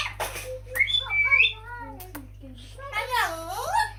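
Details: Amazon parrot talking indoors and saying "allah hu", producing speech-like syllables with gliding vowel tones and a few clear whistled notes over a low steady hum.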